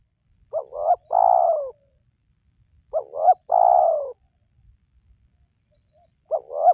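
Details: Spotted dove calling, intended to lure wild doves to call: two full phrases and the start of a third, each two short rising notes then a sustained, gently falling coo, about every two and a half seconds.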